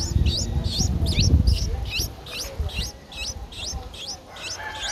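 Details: Nine-day-old Streak-eared Bulbul nestling, Ubon Ratchathani, Thailand, 11 April 2023. A quick run of a dozen sharp, high, twisting squeaks comes about two per second, over low rumbling noise.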